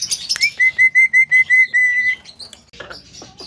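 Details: Javan myna that can talk, sounding to provoke other mynas: scratchy high notes, then about seven clear level whistles in quick even succession, ending in soft rasping sounds.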